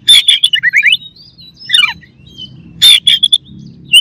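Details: Oriental magpie-robin (kacer) rival song meant to provoke aggression: bursts of sharp chirps, descending whistled slurs and rising trilled notes separated by quiet gaps, over a faint low hum.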